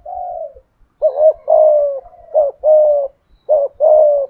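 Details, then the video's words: Decoy spotted dove in 'thổ' voice style: one softer drawn coo, then three crisp pairs of short rising and long level hollow notes in quick succession. "Chim Cu Mồi/ cu gay giong tho cuc dinh"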